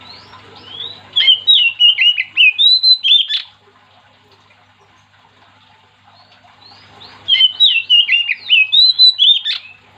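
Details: Lively Oriental magpie-robin song used to get other magpie-robins singing: two bursts of rapid whistled, chirping notes, each about two and a half seconds long and about eight to ten notes, with a quiet gap of several seconds between, and a soft background hum.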